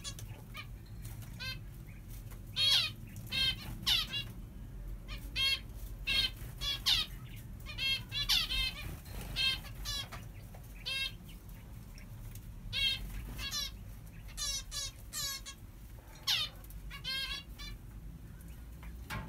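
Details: A newly hatched zebra finch chick in an aviary begs with quick, high, buzzy peeps repeated in bursts.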